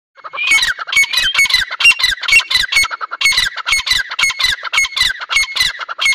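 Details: A pair of grey francolins (Dakhni teetar) calling loudly, with harsh, squawking notes repeated about twice a second in an uneven, overlapping run.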